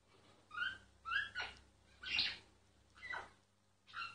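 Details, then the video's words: A singing myna, filmed secretly because it stopped singing when disturbed, gives separate rich harmonic whistled notes about once a second, each bending upward, with one harsher burst in the middle. "Mynah singing"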